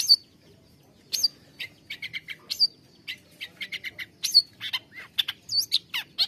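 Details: Long-tailed shrike song played to prompt lazy or stressed caged shrikes into singing: scratchy high chips mixed with clear whistled upslurs and downslurs, delivered in uneven clusters after a brief pause.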